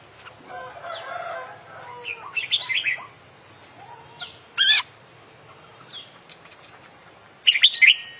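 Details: Oriental magpie-robin, an international champion bird singing actively with a full set of filler songs, gives varied whistled and chattering phrases, then two sharp, loud, buzzy bursts separated by quieter pauses.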